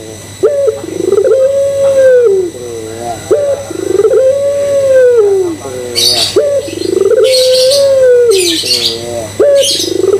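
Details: Barbary dove cooing as a lure to set other doves cooing: short rising note, then a long, steady, level coo that falls at the end. Repeats about every three seconds, with brief high scratchy bursts between phrases.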